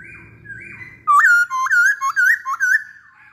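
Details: Masked laughingthrush song: soft flat whistles at first, then a burst of loud, looping whistled notes rising and falling in rapid sequence.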